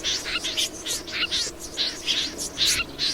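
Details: Snipe giving harsh, scratchy calls in short bursts about every half second, each note rough and buzzy with a slightly higher squeak at its top.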